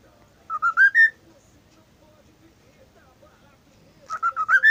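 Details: Caged pet cockatiel that talks and copies a WhatsApp notification gives a rising run of four whistled notes, then a pause with faint murmurs and a second, matching upward whistle phrase.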